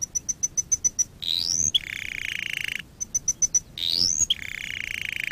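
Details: Canary training song: rows of sharp high ticks, an upswept whistle and a buzzy mid-pitched roll, repeated twice.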